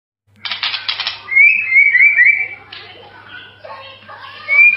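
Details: White-rumped shama singing a melodious tutor song: a harsh buzzy rattle opens, then clear whistled notes slide and rise in quick succession, with softer warbled phrases after and a final bright whistle.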